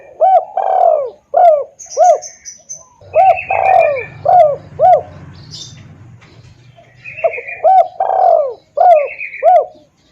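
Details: Loud, clear lure cooing of a spotted dove for drawing in wild doves. Two phrases of short coos around one long falling coo, separated by a pause with a low rumble and scattered high chirps of other birds.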